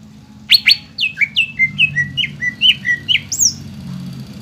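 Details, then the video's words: A greater green leafbird sings for young birds to imitate: two sharp high notes, then a steady series of about a dozen down-slurred whistles, roughly five per second, finishing on a higher slurred note. "PANCINGAN CUCAK IJO BAHAN ATAU BAKALAN AGAR CEPAT GACOR"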